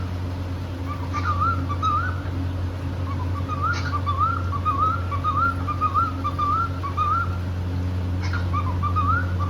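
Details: A cockatiel couple singing and playing happily: a soft, continuous warbled song of quick wavering whistled notes, with a couple of faint chirps, heard over a strong steady low hum.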